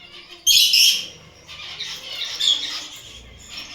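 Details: A kept Gouldian finch gives a loud, bright burst of high chirping notes, then quieter high twittering over a constant hiss of bird chatter.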